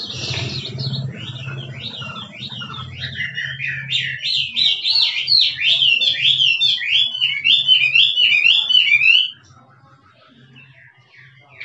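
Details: Wild Chinese hwamei in 'drumming' song: a long sequence of loud, rapid zigzag whistled notes, repeated about three per second and gradually rising in strength before stopping abruptly; low hum beneath throughout.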